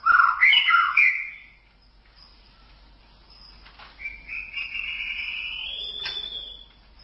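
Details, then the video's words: White-rumped shama masteran recording: a loud burst of jumbled whistled notes, a quiet stretch, then one long drawn-out level whistle ending in a sharp high note. "Masteran Suara Murai Batu"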